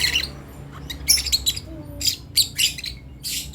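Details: Short run of a young lovebird's practice calls: sharp, scratchy squeaks in separate bursts about half a second apart, with a faint brief whistled note in between.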